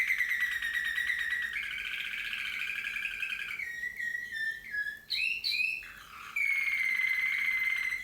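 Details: Singing Slavujar canary: long pure whistled tones shifting into a warbled roll, a few sharp rising notes, then another sustained clear whistle with rich overtones.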